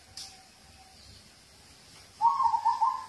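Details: Local zebra dove used as a singing prompt for other birds: after a quiet stretch with a faint level tone, a loud bubbling, rapidly pulsed cooing trill rings out to the end.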